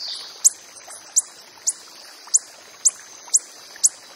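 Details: Sharp, high-pitched ticks from a wild coppery-headed emerald, spaced about half a second apart, seven in a row, with a faint steady whine behind them.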